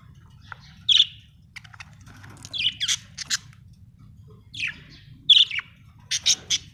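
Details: Budgerigar chirping happily: scattered sharp high chirps and clicky buzzy notes in small clusters, with brief pauses between bursts over a soft low background hum.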